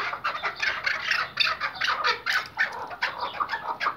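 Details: Iraqi white hunting chukar partridges kept as tethered decoy birds, a lively commotion of many overlapping, rapid, clucking chuk notes in dense bursts, rising and falling continuously throughout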